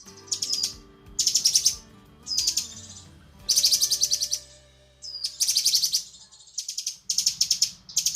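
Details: Cucak kinoi female calling to a male, giving repeated bursts of high, rapid chirping trills, each lasting about half a second, separated by short quiet gaps.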